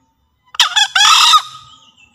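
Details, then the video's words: Green junglefowl from Java, used as a lure and training call: one harsh, hoarse two-part crow lasting about a second. A short broken opening is followed by a longer raspy note that trails off. The background is otherwise quiet. "Suara Master Pikat Ayam Hutan Hijau Sedang Beraksi"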